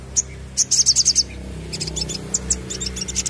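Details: Crested jay calls used as a lure recording: bright high chirps in quick runs, a burst of five or six notes near the start followed by scattered sharp tweets and rattling notes, over a low steady hum.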